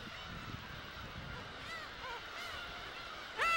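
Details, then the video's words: A black-tailed gull at an island breeding colony, late in incubation, gives nasal, mewing alarm calls while eyeing a stuffed egret placed near its nest, ending with a loud, harsh cry over a murmur of other gulls. "갈매기는 처음엔 경계음을 내며 박제 주변을 두리번거린다."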